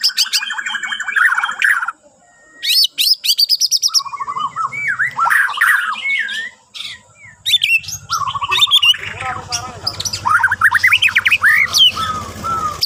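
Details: White-rumped shama from Borneo singing as a morning prompt: varied whistles, rapid high trills and harsh chattering in bursts, with a low background hum in the second half.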